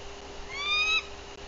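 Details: A nest livecam in Bluff City, Tennessee, 14 April 2023, picks up one short, high, slightly rising whistled alert note from a watchful female bald eagle just arrived at her nest.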